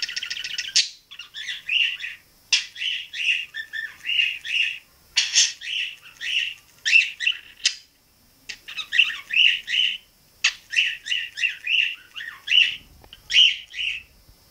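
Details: A pet male budgerigar chatters in quick, scratchy chirps and squeaky whistles with short pauses; these are funny sounds he learned to whistle, mostly using his neck without moving his beak much.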